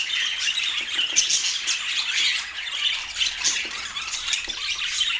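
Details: Budgerigar chatter from Portland, many birds warbling at once in a high, fizzing blend of chirps and short squawks, fairly even in loudness throughout.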